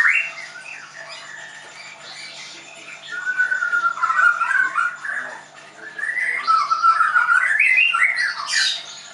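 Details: Caged Leuser White-rumped shama from a Tangerang bird school in Indonesia delivers long clear whistles that rise and fall, separated by quieter stretches, with a bright upward flourish near the end.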